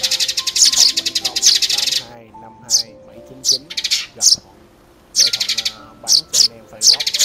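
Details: Sparrow lure sound for trapping: an opening stretch of rapid harsh chattering, then scattered single sharp chirps and short bursts, with male speech faintly underneath.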